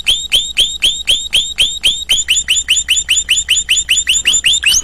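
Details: Canary song made of one hooked, down-curving whistled syllable repeated over and over, about four to five per second, the pace quickening slightly toward the end.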